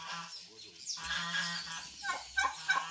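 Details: Mature female ornamental goose giving harsh, nasal honking calls, a drawn-out rasp followed by two sharper honks near the end, over a loud hiss of high background noise.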